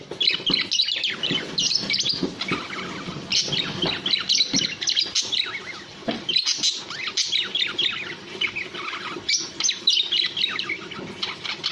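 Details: Budgerigar chatter, busy and unbroken: a rapid, irregular stream of squeaks, chirps and rasping notes, loud throughout, with scattered clicks beneath.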